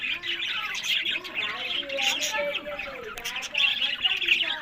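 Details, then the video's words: Budgerigars kept as breeding pets in Larkana, Sindh: busy high chirps layered over lower, wavering warbled notes that rise and fall, somewhat like chattering speech, in continuous flock noise. "Buddies Parrot Voice"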